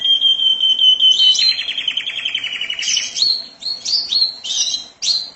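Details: Canary singing in a 'mabok teler' style: a steady whistled note near the start, then a fast buzzy roll, then high chirps and trills jumping between pitches.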